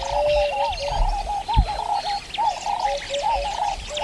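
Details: Several turtle doves in a savanna soundscape, possibly Kenya's Masai Mara, coo at once: dark, sombre, wooden, rolling phrases of mid-pitched notes, repeated without pause, with faint higher bird calls behind.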